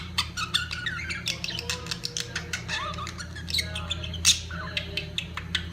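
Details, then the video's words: Budgerigars at peak mating time chatter nonstop with clicking, warbled squeaks and buzzy squawks, one sharp louder screech standing out toward the end, above a low steady hum. "طيور الحب البادجي في قمة تزاوجها"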